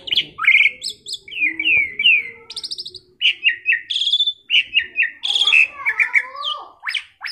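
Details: Tame, chatty Asian pied starling, used as a training recording for other birds: a rapid run of varied whistled notes, sharp chirps and slurred rising and falling phrases, packed into short bursts with brief gaps.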